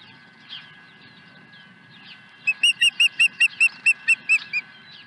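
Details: Osprey at Dunrovin Ranch, 23 April 2020, swooping in with a second fish at the nest: a rapid run of about eleven clear, high whistled notes, evenly spaced, preceded by faint chirping of other small birds in the background.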